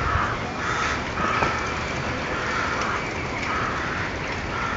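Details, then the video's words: At night, crows give harsh, hoarse caws, repeated about once a second and half buried in a steady rushing background hiss, a sound described as eerie; crow. "krähen krähen in der nacht - crows crow"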